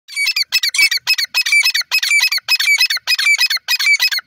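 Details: Grey francolin, locally called teetar, heard in a natural voice described as happy; loud, harsh, ringing phrases come in tight rhythmic bursts, roughly two per second, separated by brief silences, with no other sounds.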